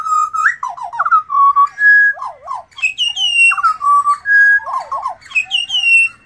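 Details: Rich, continuous song from a wild pied butcherbird in Australia: level whistled tones, rapid zigzag trills and higher ringing notes, the whole sequence of phrases repeating about twice.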